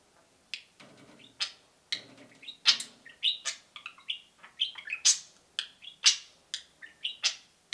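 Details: Two pet budgerigars peeping and cheeping indoors; short bright chirps and sharp cheeps come about once a second, some rising and some falling, with brief warbled notes between them.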